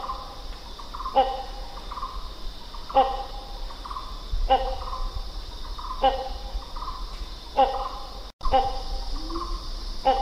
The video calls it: The Sounds of Hornbill Birds